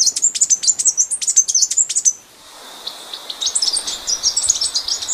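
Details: Blue-backed conebill (Conirostrum sitticolor) song: a fast run of high, thin twittering chips for about two seconds, followed after a pause by softer, scattered high chips.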